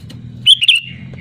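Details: Sooty-headed bulbul calling loudly at rivals with a quick liquid two-note phrase that trails into a fading whistle. A faint low hum lies beneath.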